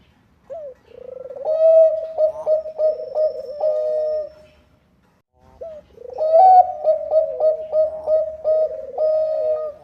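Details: Zebra dove of the Bangkok type giving two long cooing phrases separated by a pause, each a soft rising note followed by a burbling, pulsed coo series, played to encourage other doves to join in.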